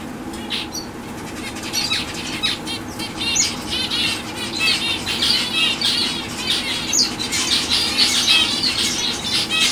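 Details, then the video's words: Fawn-coloured zebra finch hen giving rapid, overlapping high chirps and short nasal notes. They come in uneven bursts roughly once a second over a constant low background hum. "Fawn Zebra Finch hen"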